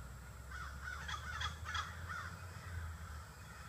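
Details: Crows, 30 to 40 birds, assembling in trees in the evening; several rough overlapping caws in the first half, then quieter, with a steady low hum throughout.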